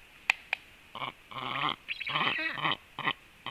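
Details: Black stork chicks in the nest, late morning at 11:35, talking to each other while preening: harsh, nasal, wheezy calls in short bursts of varying length, with two sharp clicks at the start and quiet pauses between.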